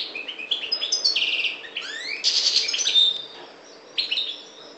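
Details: Subspecies parva goldfinch from the Maghreb singing a lively run of chirps, a buzzy trill, upward-sweeping slurs and a clear held whistle, then a short pause before a last twittered phrase.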